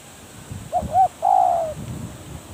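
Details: Spotted dove kept as a decoy bird for luring wild doves, giving a coo phrase: two short hooting notes, then a longer, steady coo that slides downward at the end. Faint low rumbling underneath.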